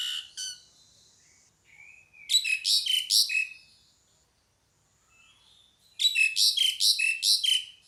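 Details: Pied myna calling in two loud bursts of rapid, grating chatter, each about a second long, linked by soft rising whistled slurs and a quiet pause.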